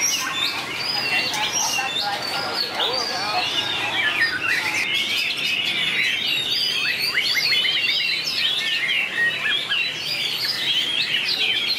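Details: White-rumped shama in a singing duel, a 2019 compilation: a continuous stream of varied whistled and chattering notes, with fast downward slurs crowded into the second half and a steady high background.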